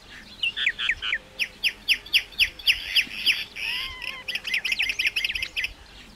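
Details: Common myna song: a steady run of loud, evenly paced downslurred whistles, about three per second, then a denser, chattering tangle of notes with a soft rising-falling tone.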